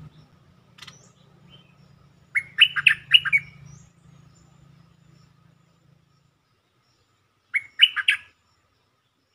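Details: Bulbul lure song played to rouse birds: two clear phrases of fast, mellow, bubbling notes about five seconds apart, with a low hum fading out early and a few soft chirps.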